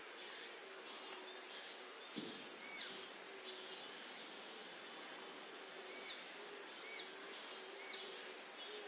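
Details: Chinese sparrowhawk gives four short, sharp, high notes spaced about a second apart near the end, either its call when a bird is nearby or its alarm call for a distant bird, over a steady insect drone and soft hum.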